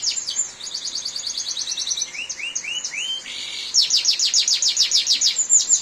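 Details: Canary singing in a downpour: a quick rolling trill, a few lower upward-curving whistles, a brief buzzy note, then a loud fast series of repeated sharp notes, over the hiss of heavy rain.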